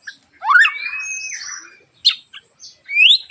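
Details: White-rumped shama in harsh, sharp song meant to prompt other shamas to sing: a rising slurred note into a long level whistle, then short scratchy bursts and a final upward-sweeping whistle.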